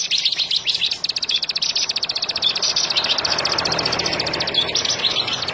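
Bar-winged prinia pouring out a rapid, high, buzzy chatter of sharp repeated notes, almost without pause, over faint background hiss.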